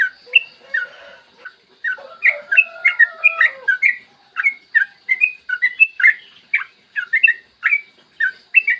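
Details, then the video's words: Clear morning singing of a yellow-vented bulbul in long 'ropel panjang' style, meant as a lure for other bulbuls. Tumbling liquid chirps run nearly continuously, with a faint lower murmur early on under the bright gurgling phrases. "Masteran trucukan gacor ropel panjang cocok buat pancingan trucukan agar cepat bunyi dan ropel"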